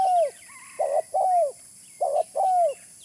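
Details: Lure call of a spotted dove: low hollow coos in quick pairs, a buzzy rolled note then a longer downslurred coo, repeated twice, with faint high twittering of other birds.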